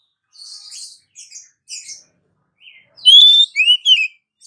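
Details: Female Oriental magpie-robin calling the male: soft scratchy chatter notes at first, then a loud clear whistled phrase of long and rising notes near the end.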